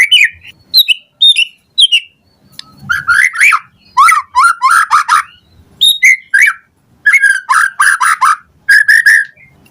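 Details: White-rumped shama morning song, used as a lure to make other shamas respond and sing. Loud, varied whistles mixed with harsh, buzzy chattering bursts, given in quick phrases with short pauses between them.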